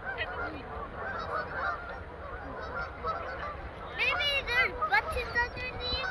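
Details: Canada geese flocking on a frozen pond in Kleinburg, with ducks and seagulls about; a softer background of distant honks, then a burst of loud, close, repeated honks after four seconds.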